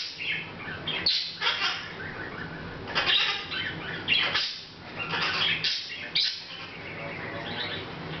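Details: Pet Hahn's macaw quietly chattering to itself, recorded August 2012: harsh, grating squawk bursts and raspy chirps arriving irregularly, roughly every second, with steady low hum beneath.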